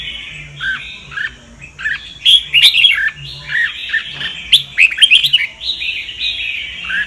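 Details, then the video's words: Red-whiskered bulbul, Sông Kon singing style, for voice training: continuous jumbled song of sweet whistles, short downslurred notes and sharp chips, rising and falling almost without pause. "Chào mào luyện giọng cực hay"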